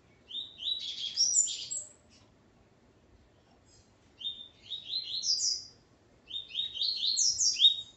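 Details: Three separate phrases from a male Coleiro kept with his female, each a quick series of rising, slurred chirps climbing to a piercing top, spaced by silent gaps of about two seconds.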